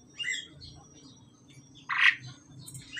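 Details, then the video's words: Male and female pied mynas during pairing give a harsh, hoarse squawk between softer scratchy chatter notes, with a faint steady high hum in the background. "jalak suren jantan dan betina dalam proses penjodohan"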